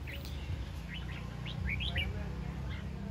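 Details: A caged Red-whiskered Bulbul, tested in a sparring bout against a lure bird, gives a run of short, bright, rising chirps in quick, uneven bursts over a steady low rumble of background noise.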